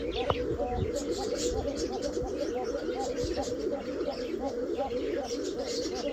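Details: Several domestic kokka pigeons coo together in a steady, overlapping chorus of soft, low, rolling notes.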